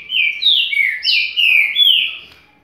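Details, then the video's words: Green-winged saltator of the Paraguayan type, loud rich whistled song: a string of five or six clear, slurred phrases, some rising and some falling, delivered smoothly in under three seconds with a quiet background. "Trinca Ferro Paraguai"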